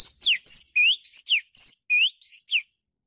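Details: Oriental magpie-robin, recorded as a bird-luring sound, singing a rapid series of clear, sharp whistled notes, some rising, some falling steeply, others steady, about ten notes in three seconds with no background noise.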